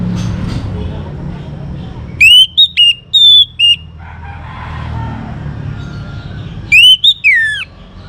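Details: Young orange-headed thrush, sung to make other birds sing: a series of clear, loud whistled notes, some held and level, followed later by a rising then sharply falling whistled phrase, with faint low noise between.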